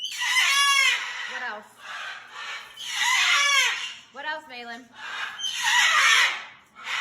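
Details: Pet parrot indoors at home, giving loud, harsh, raspy screams in three long bursts of about a second each, with brief grating calls between them.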